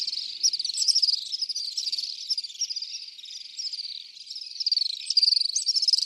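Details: Common swifts producing continuous high, shrill, buzzy screams in overlapping bursts about two per second, rising and falling in loudness over six seconds.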